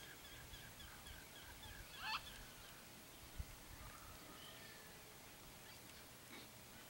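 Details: A red-and-green macaw visiting a riparian forest in Brazil in search of fruits gives a single harsh, raspy squawk, with a fainter rough call later over steady forest background hiss.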